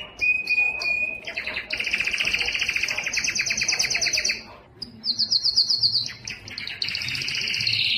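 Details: Yellow canary in song, giving a short steady whistle, then long rapid trills of buzzy repeated notes, a pause, and bright high-pitched rolling phrases that run to the end.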